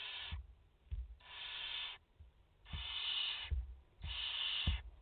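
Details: Barn owls at a nest in France, a mother with four chicks, 30 August 2021; four long, raspy hissing screeches about a second each, separated by short gaps, with soft bumps and scratching between.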